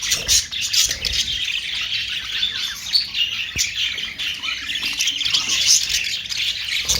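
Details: Australian parrot, or budgerigar, chattering: scratchy warbles and squawks overlap steadily, with a single click midway.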